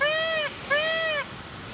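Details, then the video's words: A peacock gives two loud, nasal, wailing calls, each about half a second long, with a short pause between them, over a faint background hiss. "peacock song"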